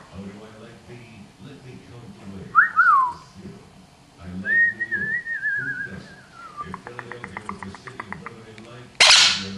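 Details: A pet monk parakeet (Quaker parrot) practising its words indoors chatters in speech-like mumbles and gives a quick falling whistle, a long wavering whistle and rapid clicks, while a person talks softly nearby.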